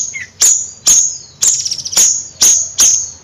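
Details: Bayeman bird's bright, high, clipped notes about twice a second, each ending in a short shimmering tail, with a soft low hum behind.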